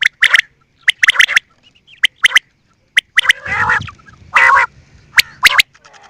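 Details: Quail calling with clusters of sharp clicks, interrupted by two longer harsh, grating squawks in the middle.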